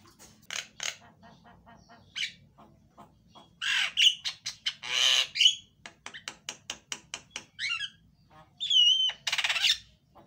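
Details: Javan myna delivering loud, varied song meant to coax a silent myna into singing. Sharp clicks and ticks mix with harsh squawks, scratchy rasps, a rapid stuttering series and a clear slurred whistle.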